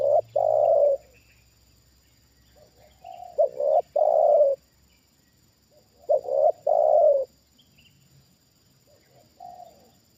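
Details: A trained spotted dove, a decoy bird used for trapping, reacting to a wild bird brought down near it for the second time. Loud low cooing phrases come in bursts about every three seconds, each with a short note followed by longer rolling coos, with softer cooing between them.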